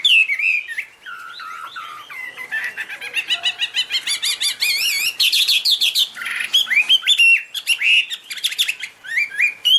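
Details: Chinese hwamei singing loudly with high, pure notes, waving its wings and tail: a rich, varied run of whistled phrases, slurred and warbled, with rapid trills and repeated notes flowing continuously.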